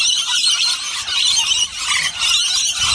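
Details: Lorikeets feeding on a bowl of nectar and honey mix screech continuously in a harsh, high-pitched chorus of overlapping shrill squeals with no pauses.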